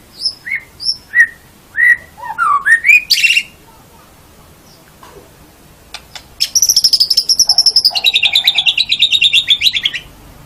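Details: White-rumped shama song as a master recording for songbird training: a series of clear whistled notes rising in pitch, a pause, then a rapid high rattling trill that drops lower midway.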